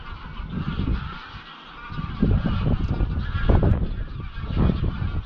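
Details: Greylag geese, part of a 200–300-bird flock, flying at dusk from their grazing field to Llyn Maelog near Llanfaelog, Anglesey; overlapping nasal honks run throughout beneath heavy gusting wind rumble in the microphone.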